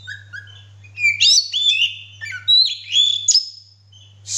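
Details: Singing male Oriental magpie-robin with its tail opened, giving rich whistled phrases that glide between pitches, with quick chirps mixed in, over a constant low mains hum.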